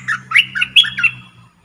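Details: Caged red-whiskered bulbul used as a decoy bird, giving one short squawky warbled phrase of quick rising and falling notes, with a steady low electrical hum underneath.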